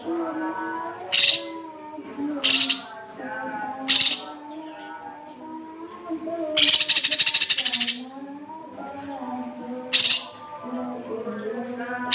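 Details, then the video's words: Masteran training audio of cucak kinoi for young birds: brief harsh bursts spaced one to two seconds apart, plus one longer grating rattle of rapid pulses, over soft, sustained low tones throughout. "masteran cucak kinoi untuk pancingan burung bahan"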